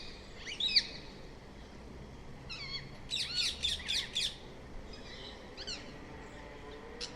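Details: Rose-ringed parakeet calls: scattered shrill screeches, then a quick run of five harsh squawks, with fainter answering notes from other birds in the distance.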